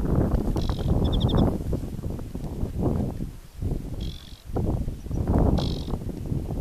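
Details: Aquatic warbler at Chełmskie Torfowiska Węglanowe in July 2015, giving brief buzzy rattles and a few trilled notes, partly masked by strong, gusty wind rumble.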